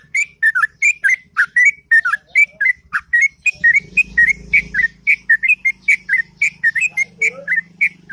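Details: Sooty-headed bulbul in morning ngropel song, long and sweet: fast series of chirpy slurred whistles, repeated nearly twice a second, over a low steady hum.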